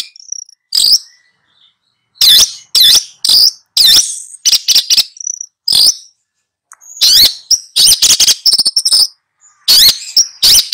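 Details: Singing long-tailed shrike teaching two young birds: loud, grating notes and rapid chatter are mixed with thin high whistles, arriving in irregular bursts with brief gaps.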